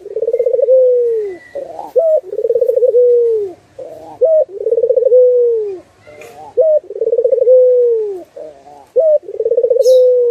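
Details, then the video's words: Turtle dove (burung puter) singing in a master recording for training birds. Phrases repeat about 26 times a minute. Each is a rapid pulsed roll flowing into a drawn-out falling coo, with short rising notes between phrases and faint clicks. "Masteran Burung puter"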